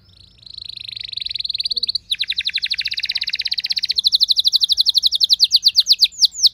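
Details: Domestic canary, a house bird described as not yet a keen singer, answering another singer with a long rolling song: rapid buzzy trills around 4k, shifting to faster sweeping repeated notes that grow louder toward the end.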